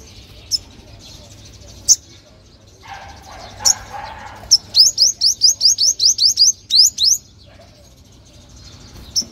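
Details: Sunbird song used for calling young wild birds or urging caged birds to sing: isolated high chirps, then a rapid burst of about ten rising, sharp notes, with a brief soft murmur of other noise beforehand.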